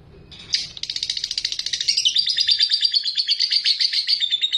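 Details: Ngekek song of a lovebird, sung to provoke rivals into singing: after a sharp opening note, a fast rattling trill of high chirps builds in loudness and continues steadily.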